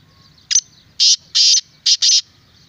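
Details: Black francolin (Francolinus francolinus), call.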